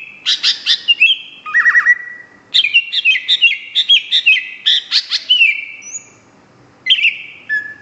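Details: Greater green leafbird pouring out rich song: rapid chattering phrases, sharp chips and slurred whistles in quick succession, a short silence near the end, then a final whistled phrase.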